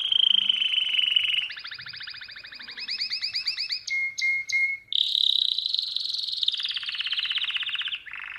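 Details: Domestic canary song for tutoring young birds: a high sustained trill, then pulsed rolling tours rising in loudness, three short clipped notes, and a long rapid trill gradually falling in pitch before a lower tour.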